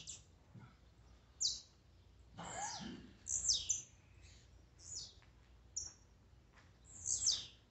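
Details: Several sharp, high buzzy Blue-black grassquit notes falling in pitch, irregularly spaced, mixed with a brief lower rustling sound; part of a warm-up recording used to stimulate a kept bird.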